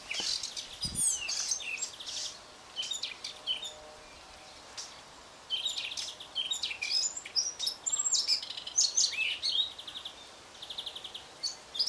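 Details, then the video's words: Male Eurasian blackcap singing in windy conditions: rapid, varied warbling bursts of high chattering and fluty notes, phrases separated by brief pauses, over a soft background hiss. "Fauvette à tête noire mâle chante"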